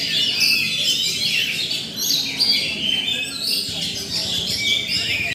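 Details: Roll tembak singing by an Oriental magpie-robin (kacer): fast, busy bursts of shrill whistles, buzzy trills and rolling chatter packed together, about two or three phrases per second, ending abruptly.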